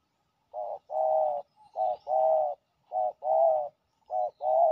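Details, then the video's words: Aggressive resident male spotted dove calling at a ground decoy; soft low coos paired as a quick short note then a drawn-out mellow coo, three to four pairs with brief pauses, recorded close in a quiet setting. "ต่อดินนกเขาใหญ่ มาเร็วเคลมเร็ว!! จ้าวถิ่นดุมาก"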